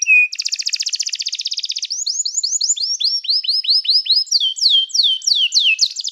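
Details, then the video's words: Canary training song: a short low whistle, then a dense rapid trill, followed by steady series of repeated falling whistled notes at shifting pitches and a slower close of loud sweeping slurs. "O som do canário cantando é muito gostoso! melhor treinamento para canario"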